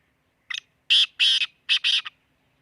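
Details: Black francolin calling near Khushab, Pakistan: one short clipped note, then two loud grating notes, then a tight pair of harsh notes, the whole phrase about a second and a half long against a quiet background.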